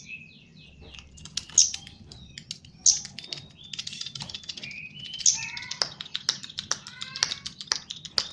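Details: Javan chestnut-capped thrush kept for training, pouring out a dense, varied song of sharp high notes, twittering trills and short whistled slurs, with clicking sounds in the background.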